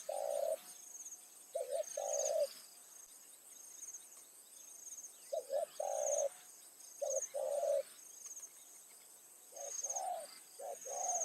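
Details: Spotted dove, a decoy bird calling in the evening to lure wild doves; low hoarse cooing phrases in short groups of two or three notes, separated by pauses of a second or more, with a steady high hiss behind.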